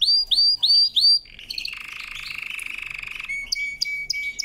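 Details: Singing canary, powerful training song: four upward-curving whistled notes, a long buzzy trill, then a steady held tone dotted with quick high pips.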